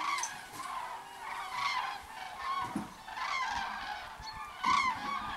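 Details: Flock of common cranes returning to the roost in a line, many overlapping loud trumpeting, rolling calls rising and fading in waves every second or so, with low rumbling background.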